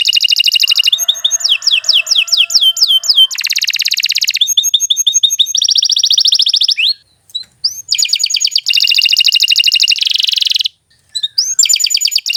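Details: A canary sings long and sharply: a varied series of rapid trills, rattles and buzzy rolls, some sweeping up and down. The trills switch pitch and tempo every second or two, with short pauses between phrases.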